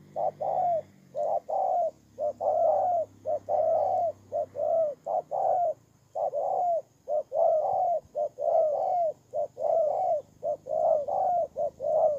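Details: Spotted dove used as a ground decoy bird, recorded in Kon Tum, Vietnam, on 23 September 2018: deep, soft cooing phrases of paired and drawn-out hoots, repeated steadily about once a second, with a faint low hum beneath.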